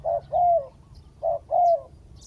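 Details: Spotted dove calling a wild bird down to the ground: two phrases, each a short coo followed by a long, smooth falling coo, in quiet surroundings.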